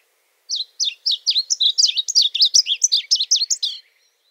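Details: Varied bunting, a shy bird of dense cover in arid lands, singing a long sweet series of whistled, slurred phrases, about fifteen notes in three seconds, rising and falling with little pause between them.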